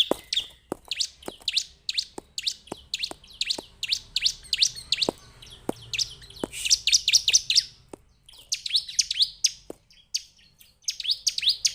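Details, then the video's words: Perenjak Jawa, the Bar-winged prinia, chirping in rapid high bursts and looser scattered notes, accompanied throughout by regular sharp clicks about twice a second. "Suara Burung Perenjak Jawa / CIBLEK"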